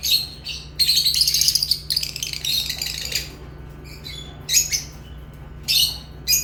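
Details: Lovebirds in a long, harsh, buzzy chattering run, followed by scattered high chirps and squeaks, with a steady low hum underneath.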